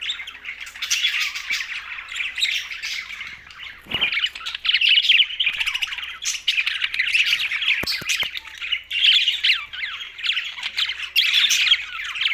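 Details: Budgerigars, pet parakeets, in loud continuous warbling chatter, dense overlapping chirps and squeaks with a short pause near the start, then steady busy twittering.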